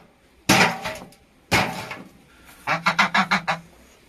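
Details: A wild goose giving two harsh, noisy calls about a second apart, then a quick run of six nasal, harmonic honks near the end.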